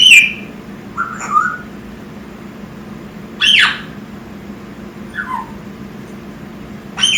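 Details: A six-month-old male African grey parrot (Psittacus erithacus) indoors gives harsh, loud squawks every few seconds, mixed with shorter mid-pitched whistles and a falling whistle, over a low steady indoor hum.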